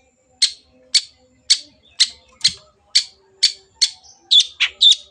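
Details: Energetic long-tailed shrike song used as a lure to get silent birds singing: harsh, scratchy high notes repeated about twice a second, ending in a quicker cluster of three buzzy notes.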